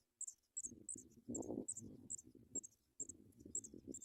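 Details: Nestling paddyfield pipits begging while a parent brings food: short, sharp, very high squeaks repeated irregularly, with loud low rustling and shuffling at the nest in between.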